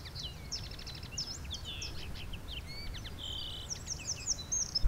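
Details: A Common linnet sings in the Alblasserwaard, the Netherlands, on 18 December 2021: a quick, varied twitter of chirps, short trills and buzzy notes, over a steady low rumble of wind.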